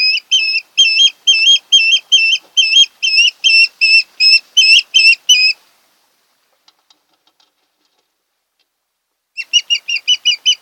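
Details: Osprey on its Kent Island, Maryland nest in late August: a rapid series of loud, wavering whistled notes, a pause of several seconds, then another fast run of shorter whistles.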